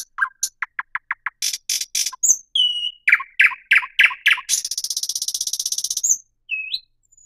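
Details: Singing thrush nightingale delivers rapid dry clicks, a few thin whistles, a run of loud repeated chock notes, then a long even rattle, closing with a single rising whistle.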